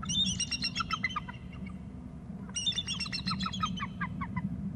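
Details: An eagle calling from a perch, possibly two eagles together with a third nearby, gives two bursts of high, rapid chittering notes that tumble downward, each about two seconds long, over a steady low rumble of wind.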